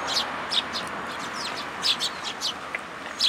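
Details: Several sparrows visit a plum-tree feeding spot at a Tenmangu shrine on 2 July 2022 to be fed, giving scattered high, bright chirps at irregular intervals over a steady hiss.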